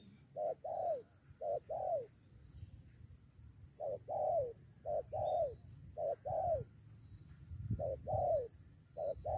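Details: Spotted doves lured to a trapping decoy, almost fighting two against one. Mellow coos come in irregular pairs separated by pauses of a second or more, with a faint low rumble behind.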